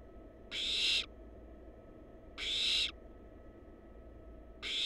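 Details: Wild barn owl nestlings on a live nest cam produce rasping hisses roughly every two seconds, three bursts in five seconds, each half a second of harsh broad noise, with a low hum beneath.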